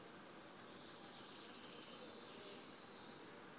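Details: Wood warbler (Phylloscopus sibilatrix) singing at PP Březinka, Náchod-Běloves, on 5 June 2016: high ticking notes speed up over two seconds, then merge into a bright, shivering trill lasting about a second; faint background hiss.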